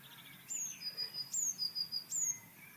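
Blue tit song: high, thin, down-slurred whistles running into a quick, slightly lower trill, urgent and repeated twice in three seconds.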